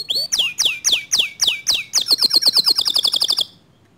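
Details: Song of a canary, described as stirring other canaries to sing. Loud falling whistled sweeps come about three per second, then speed up into a rapid chattering trill that stops abruptly, leaving quiet.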